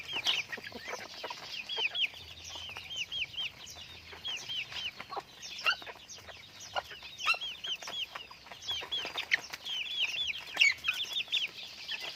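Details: A flock of pet chickens keeps up a long, restless stream of piercing downward-sliding peeps, dozens overlapping, punctuated by faint clicks and soft knocks.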